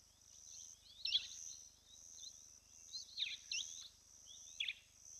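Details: A female Giant kingfisher at the Lentorre Lodge hide, Olkirimatian Conservancy, South Rift Valley, southwest Kenya, gives three or four harsh, grating bursts a second or two apart over a constant high insect drone.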